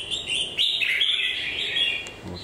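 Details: Red-whiskered bulbul with a molting beak and a single faint shoulder spot, singing a bright, warbling phrase of slurred whistles that starts loud and fades, with a faint voice near the end.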